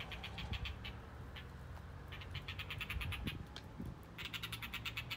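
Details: Blue rock thrush holding a lizard in its bill while displaying to a female. Series of rapid, dry, clicking ticks in short bursts, with a pause mid-clip and a faster burst near the end, over low rumbling background noise.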